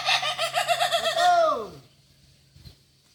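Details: A Kukuak Balenggek rooster at a shared training session in Ampang Kualo, Kota Solok, gives a stepped crow of quick wavering syllables that ends in a long, drawn-out falling note, then goes quiet.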